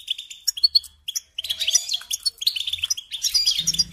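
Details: Goldfinch singing in short separated chirp phrases, then a pause and a denser, harsher twittering stretch, with a low hum entering at the very end.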